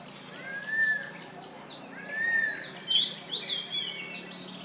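A crested serpent eagle gives two drawn-out, clear whistles, a second or so apart. Sharper chirps from smaller birds and steady background noise are also heard.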